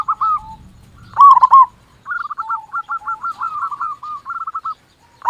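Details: Zebra dove of local stock, its song used to prompt other doves, a loud rolling coo followed by a long, even string of quick staccato trilled notes.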